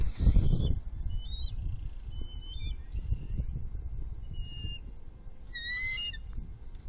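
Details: Bald eagles at their nest on the Upper Mississippi River Refuge on 19 March 2018, a trio with much movement, caught by a nest webcam: thin, high whistled notes and chitters in short bursts over steady low wind rumble.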